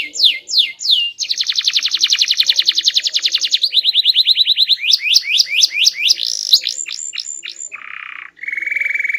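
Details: Loud, varied canary song in quick tours: a few sweeping downslurred whistles, a long fast rattling trill, then a lower pulsed trill, spaced falling notes, and finally short steady tones at lower pitch.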